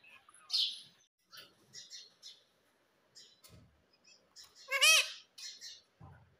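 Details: Pet rose-ringed parakeet being taught to talk makes soft scattered high chirps, then a loud ringing squawk near the end, with a few low thumps around it.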